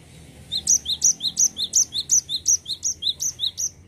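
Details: A cinereous tit gives its continuous rolling song, known as 'ngerol', with around nine high, ringing two-note phrases in even rhythm, roughly three per second, over a quiet background.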